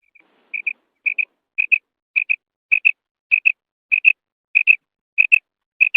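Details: Calls of a female quail (batair, bedana): crisp paired notes repeated evenly about every half second, each pair a quick double chirp, with nothing else audible.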